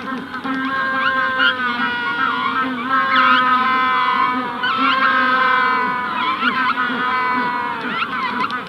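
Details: Adult Magellanic penguins calling close by in a colony at hatching stage: strong, donkey-like braying with rich harmonics, rapid pulsing sections and rising-falling swoops, and a broad colony chorus behind.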